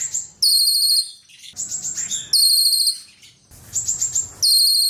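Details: A cililin singing in repeated high, shrill bursts, each a rapid ringing trill about a second long, coming again after short gaps.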